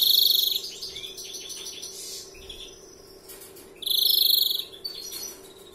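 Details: Singing first-year European greenfinch in 'larguero' style: a pulsed buzz-trill, a run of fluttering twitters and chirps, then a second loud rattling trill near the end.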